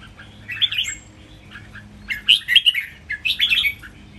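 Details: Three red-whiskered bulbuls in cages sing an exuberant model song for training, phrase by phrase: a short bubbly phrase with a thin high whistle after it, then two loud, rolling, chattering warbles.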